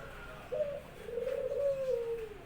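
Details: Pet Barbary dove kept at home, cooing vigorously as it greets its owner returning from work: one short clipped note, a pause, then a long low rolling coo that slowly falls away, in a quiet indoor room.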